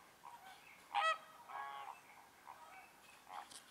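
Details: American flamingos at the Lagunska ribogojnica nature reserve on 4 January 2024 give harsh, nasal goose-like honks, one loud and rasping near the start, with softer honks from other birds scattered around it.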